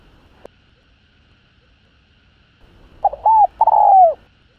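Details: Spotted dove in the hạp bổi calling voice, used to spur other doves: after a faint click and quiet, one phrase of quick short notes ending in a drawn-out descending coo.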